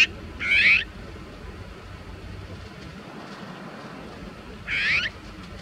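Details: An azure-winged magpie tangled and stuck in a bird-protection net gives two harsh, raspy, rising calls about four seconds apart, each under half a second, over a soft background hiss.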